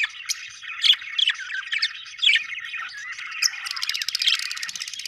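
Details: A flock of budgies warbles steadily with quick chirps and squeaky notes, closing in a rapid buzzy rattle.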